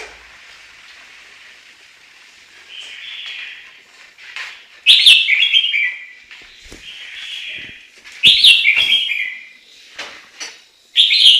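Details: Chinese hwamei song starting softly with quiet warbling, then breaking into loud, tumbling whistled phrases about every three seconds.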